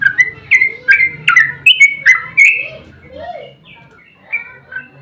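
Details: Sooty-headed bulbul in emotional fighting song meant to goad other birds into singing: a run of loud rising-and-falling whistled notes fading into softer scattered notes, with a low hum throughout.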